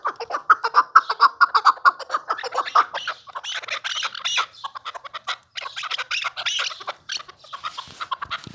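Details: A newly acquired pet chukar partridge calling: rapid series of throaty clucking notes, about two per second, running in bursts with brief pauses between them, in a quiet setting.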